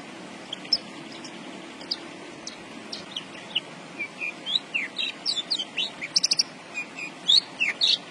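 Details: Javan bush lark singing vigorously: scattered thin whistled and chirped notes, some rising, some falling, grow denser in the second half into quick bursts of sharp high chips, over a steady low background hiss.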